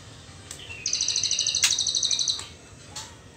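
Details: Juvenile white-rumped shama in the trotol stage, before the pastol moult. A single thin whistle leads into a sustained machine-gun rattle of high, evenly spaced ticks lasting about one and a half seconds, with a few faint clicks afterwards.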